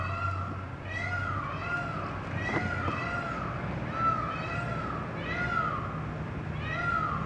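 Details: A peacock in Beacon Hill Park, Victoria, British Columbia, gives a run of nasal, cat-like mewing calls, each arching up and falling, repeated every second or so over a low background hum.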